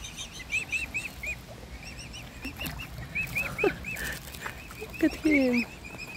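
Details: Hungry mute swan cygnets being hand-fed with their family give high, thin, arched peeps, several every second, over a low rumble, with a few deeper calls and brief voices.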